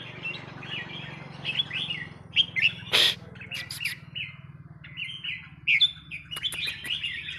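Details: A red-whiskered bulbul of Burmese type sings short, liquid, warbled phrases in quick succession over a steady low hum, with a few sharp clicks.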